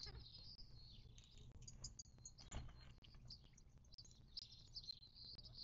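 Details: Mixed desert birds calling at a Mojave Desert watering hole in southern California, March 19, 2024: thin high twitters and squeaky notes drift across the clip, broken by a few sharp clicks over soft background hum.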